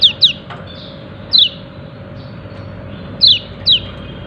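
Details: Yellow-breasted white-eye calling "ciak ciak": five bright, high down-slurred chips, a quick pair at the start, one alone, then another close pair, over a soft steady hum.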